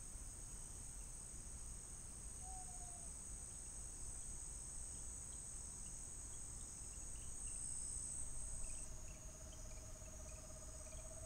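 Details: Screech owl giving a brief soft descending note, then a long steady low trill of rapid even pulses running to the end, under a loud continuous high-pitched insect chorus.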